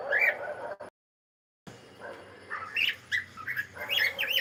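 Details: Cockatiel song: a few sharp chirps, then a brief silent break, followed by scattered quick whistled and squawky notes that grow busier toward the end.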